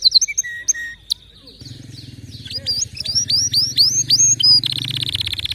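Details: Canary giving high chirps and whistled slurs, then a quick series of rising notes and a rapid trill, with low electronic music running beneath.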